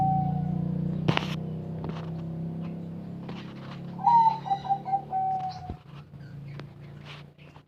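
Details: Small-voiced zebra dove from Bayo in Yala province, Thailand, delivering one bubbling phrase of quick coos ending in a drawn-out note, set against a steady low hum and scattered clicks.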